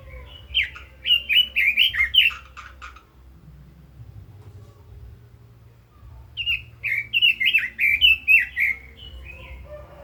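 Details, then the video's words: A red-billed leiothrix (Leiothrix lutea) sings two rich, warbling phrases of fast, rolling whistled notes rising and falling, separated by a few seconds of quiet, over a low background hum. "Chim Quế Lâm kích giọng hay, căng lửa - Burung Robin Gacor | Chim Kim Oanh Mỏ Đỏ"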